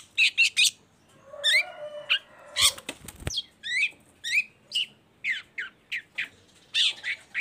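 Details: Long-tailed shrike singing to draw other shrikes into song, a busy run of rapid high chips, buzzy rasps and a brief wing-flutter-like clatter midway.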